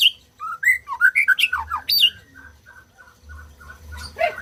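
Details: White-rumped shama song used to stimulate silent birds to sing: a rapid run of clear whistled notes leaping up and down, then a string of short, even chips about four per second, ending in a harsher note, with low room hum.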